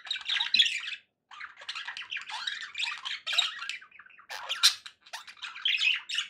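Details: Budgies kept as pets chatter in bursts of raspy, buzzy warbling mixed with sharper squeaks, broken by a brief pause near the one-second mark.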